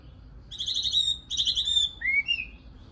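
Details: Nightingale singing two fast, buzzy trills of rapidly repeated high notes, each lasting under a second, followed by a clear rising whistle and a shorter higher whistled note, over a quiet background.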